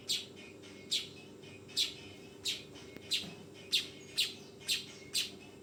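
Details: Young weaver calling repeatedly: nine sharp, noisy chirps spaced a little under a second apart, with a steady low hum in the background.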